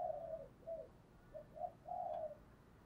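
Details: Spotted dove lure call used to provoke other males: a faint, low, hollow coo of several short notes, then a longer drawn-out final note, all over steady background hiss.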